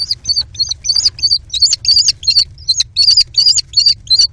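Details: Kestrel chicks, four in a nest box, squabbling over prey the mother brought, with mantling and tug-of-war: sharp, high, slightly rising screeches, uneven in length and spacing, around three per second, over a soft low hum.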